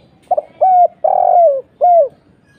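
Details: Spotted dove 'kuk 1' call played as a lure. One complete phrase is heard: a brief double note, a level then falling coo, a longer vibrating coo curving down and a last clear coo, with no other sounds.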